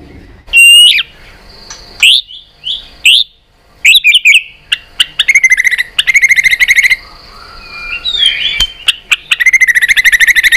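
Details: White-rumped shama singing a fighting song while clicking and flapping its tail to stimulate other birds: loud varied whistled phrases broken by sharp clicks, then long fast trills and rapid chattering runs.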